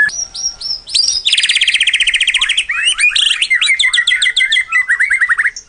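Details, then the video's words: A White-rumped shama pours out a rich, varied song of clear high whistles, then fast rattling trills and quick chattering phrases, with nothing else heard; it is a lure recording used to prompt other shamas to sing. "Suara Pacingan MURAI BATU"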